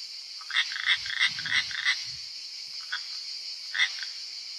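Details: European roller at a nest in Italy as the fifth chick fledges gives harsh, rasping, crow-like calls in short repeated bursts of about three a second, over a steady high cicada-like buzz.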